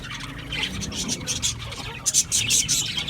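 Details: Budgerigars chirping: rapid high chattering notes and scratchy warbles in quick bursts, with a louder cluster of sharp chirps near the end and faint low background rumble.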